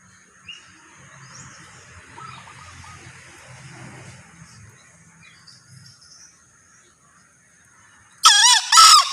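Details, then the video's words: Quiet stretch with faint distant bird notes and a low murmur, then a male green junglefowl's sudden crow near the end: two harsh, rasping, wavering bursts in quick succession. "Suara Ayam Hutan Hijau(Jantan)"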